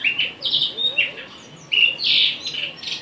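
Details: Murai batu arung, the blue rock thrush (Monticola solitarius), sings sweet whistled notes alternating with slightly hoarse, rolling phrases in uneven bursts, including a brief silence midway. Light background hiss.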